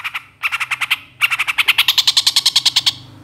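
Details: Long-tailed shrike in a master track for training songbirds gives a fast rattling series of even, clipped notes, roughly six a second, broken by one short pause, then rising slightly in pitch toward the end.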